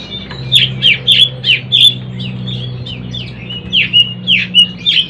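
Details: Kacer (oriental magpie-robin) learning to sing ngeplong: a steady series of loud sharp down-slurred chip notes, roughly every third of a second in two runs, over a low humming background.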